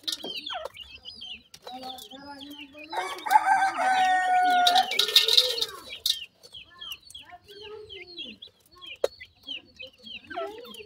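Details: Francolin chicks at feeding call with high, descending peeps. A loud sustained harmonic tone with hiss fills the middle seconds, and the thin chirps resume clearly afterward.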